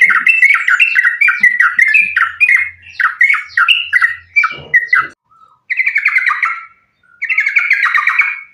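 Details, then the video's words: Lively yellow-vented bulbul in a fighting, continuous rapid song, used as a lure to make other bulbuls sing: bubbly, warbling phrases of chuckling notes, repeated almost without pause, then two short bursts after brief silences. "trucukan gacor tarung sambung ropel ini ampuh buat pancingan trucukan agar bunyi"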